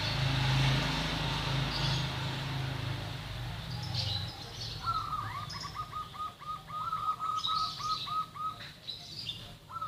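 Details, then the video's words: Local zebra dove singing vigorously: from midway, a rapid rolling run of short soft coo notes, evenly spaced, lasting about four seconds, with a low steady hum and background noise earlier and faint high chirps of other birds. "burung perkutut lokal manggung gacor"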